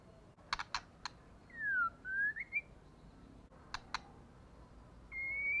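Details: Female white-rumped shama giving a call meant to stir males to fight: a few sharp clicks, then a dipping and rising whistled phrase, more clicks, and a steady high whistle at the end against low room noise.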